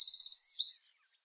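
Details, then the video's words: Northern Parula (Setophaga americana) song: a high, buzzy trill of rapid notes lasting about half a second, finishing with a quick upward zip; nothing else is heard. "The Song of Northern Parula"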